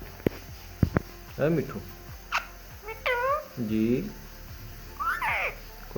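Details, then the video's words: Ringneck parrot talking: a run of short, speech-like harmonic syllables, some arched and some sliding up or down, with sharp clicks and taps in between. "Amazing Ringneck Talking Parrot"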